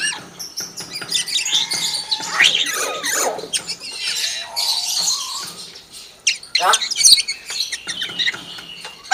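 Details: Hill myna mimicking a chicken, a varied run of squeals, downward-sweeping rasps and twittering notes, with a brief pause midway before harsher calls resume.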